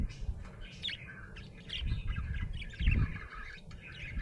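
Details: Budgie chirping happily: quick high twittering notes and warbled squeaks in a continuous run, with low thumping noises underneath.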